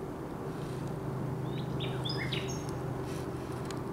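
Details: Nightingale song recorded 16 May 2023: a loose cluster of short, thin whistled notes at varied pitches, some sliding upward, heard against a constant low mechanical hum.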